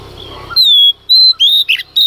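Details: Female Oriental magpie-robin singing at dawn to provoke males. A quiet murmur, then clear, drawn-out whistles, some gently falling and some rising, each lasting a fraction of a second with brief breaks.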